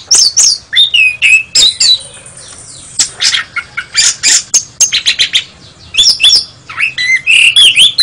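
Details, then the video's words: National champion kacer, the Oriental magpie-robin, singing a rich medley of clear slurred whistles, rapid chattering bursts and harsh scratchy notes, delivered in quick succession with only short gaps between phrases. "BURUNG KACER SUARA TERBAIK JUARA NASIONAL"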